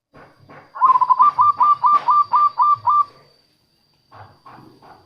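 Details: Local zebra dove song used as a lure for wild doves and to prompt quiet doves to sing: a fast run of about nine clipped, ringing coos at one even pitch, then softer short notes after a pause.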